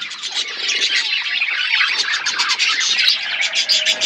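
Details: Several budgies in an outdoor aviary, eating seeds, keep up a loud, unbroken chatter of twittering, buzzy warbles and quick chirps, many voices overlapping.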